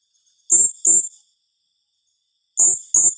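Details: Serindit (blue-crowned hanging parrot), 'tembakan rapat' rapid-fire calls: two doubled bursts of piercing high shrieks about two seconds apart, each note harsh and slightly buzzy, nothing else audible.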